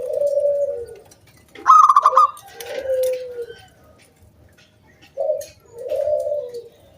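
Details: Local wild zebra dove in full song, used as a lure to draw other doves into singing: long, smooth low coos alternate with a loud, buzzy, rolling trill pitched higher, the sequence repeating twice.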